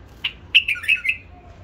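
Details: Hybrid bulbul raised by its breeder: a single short note, then a quick run of four clear, warbling whistled notes that fall slightly in pitch. The background is quiet apart from a low hum.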